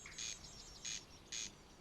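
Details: A corncrake at the Alpine Zoo Innsbruck, Austria, 750 m above sea level, gives three dry, rasping bursts about half a second apart, its mating call, over quiet background hiss.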